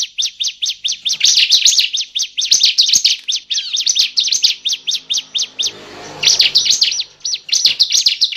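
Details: Bar-winged prinia calls played as a trapping lure: a long, steady stream of sharp, high chirps delivered rapidly, interrupted by a short hiss, then resuming.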